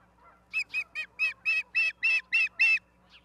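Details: Osprey at Charlo, Montana, recorded 11 September 2023 at 16:04: a run of nine sharp, whistled chirps, each with a bright overtone, repeated about four times a second and growing louder, with faint lower chattering behind.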